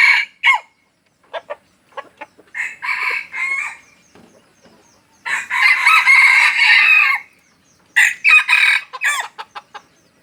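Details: Red junglefowl from Aceh, a wild-type bird used for luring, giving loud harsh bursts: short clucking notes, then a sustained hoarse crow-like call around the middle, followed by more clipped, rapid notes.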